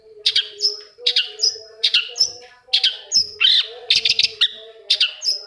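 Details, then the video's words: Long-tailed shrike lure song meant to stimulate reluctant shrikes to sing, with repeated bright phrases of crisp chirps followed by a drawn-out thin whistle, about one phrase per second, over a faint constant hum. "SUARA CENDET INI BISA MERANGSANG CENDET MACET JADI RAJIN BUNYI PAGI SIANG MALAM"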